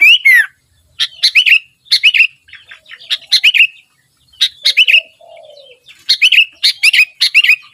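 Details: Sooty-headed bulbul in busy song: a downward-sweeping whistle opens, then many short phrases of bubbly, liquid chirps with quick upturned notes, repeated roughly every second, with a soft low slurred sound near the middle.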